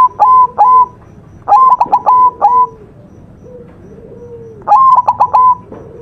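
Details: Master-style song of a white zebra dove (perkutut putih): three phrases of sharp, stuttering coos ending in sustained mid-pitched notes. Fainter, lower coos drift in between, possibly from another dove.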